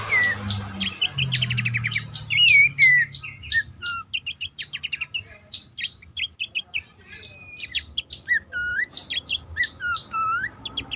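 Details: Bush warbler, pelanduk semak, calling as a lure to prompt silent, stressed or untrained caged birds to sing; fast clicking trills mixed with sliding whistled notes and short upslurred whistles, repeated in quick bursts, faint low hum beneath.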